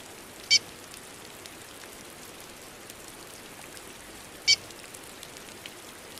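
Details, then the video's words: Chestnut-bellied seed-finch female calling in rainy weather: two crisp, high chirps about four seconds apart over steady rain. "Piado apronta curió rápido!"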